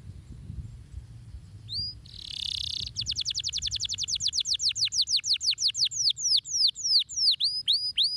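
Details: Canary song used to stimulate lazy canaries to sing: two high rising notes, a brief rushing noise, then a fast trill of sharp descending notes about four per second that slows into wider swooping whistles, over a faint low hum.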